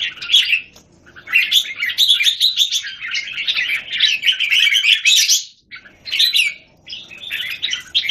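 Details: Red-whiskered bulbuls kept in cages in Singapore, one bird challenging a group, January 2019. Loud, rapid, chattering whistled phrases run together for several seconds, break off briefly, then resume in shorter bursts.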